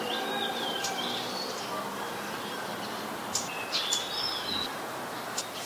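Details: Scarlet-backed flowerpecker, a very common resident, recorded at Ubon Ratchathani, Thailand, on 7 February 2020: a scatter of short, high chirps and thin sliding notes, some in quick clusters, over a steady hiss of outdoor background noise.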